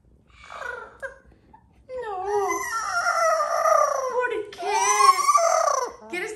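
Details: A 13-year-old female Amazon parrot, said to be crying for and searching for her "papá", gives strained, wavering, voice-like cries rising and falling over about four seconds after a short burst of speech-like chatter.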